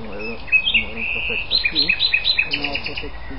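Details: Common nightingale singing at Algutsrum, Öland, on 14 June 2010: rapid, varied whistled and chipping notes, high and bright, several per second, with people talking quietly underneath.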